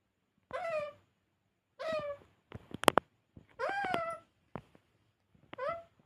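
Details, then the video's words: Parrot talking in a small room, several wavering harmonic utterances interrupted by a sharp burst of clicking or tapping noise midway. "Talking parrot"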